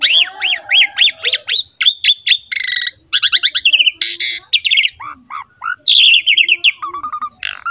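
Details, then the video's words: Asian pied starling (jalak suren) in strong, full song: a fast, varied medley of looping whistles, harsh rattles, buzzy notes and squeaky chatter in quick repeated bursts. "MASTERAN BURUNG JALAK SUREN GACOR"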